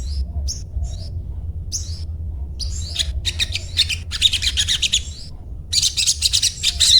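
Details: Sunbird's high, thin chirping: separate short downslurred notes at first, building into dense, excited chattering bursts with brief pauses, against a low background rumble.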